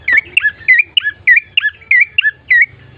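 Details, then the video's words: Vigorous bar-winged prinia song used as a lure so birds sing sooner: loud, rhythmic chirps in pairs of falling notes, repeated steadily about three per second over a soft low rumble. "pancingan prenjak coki GACOR❗ agar cepat bunyi"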